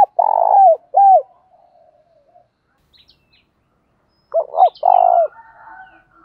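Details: Spotted dove cooing, male and female birds, used to train other doves: a rolled coo and falling hoot, a soft trailing murmur, then a later phrase of two short hoots and a trill, with a few faint high chirps of small birds.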